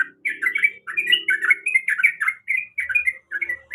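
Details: Female sooty-headed bulbul in breeding condition calling to a male: quick runs of bubbly, warbling chirps, several notes per burst with short pauses between bursts, plus a faint low hum in the background.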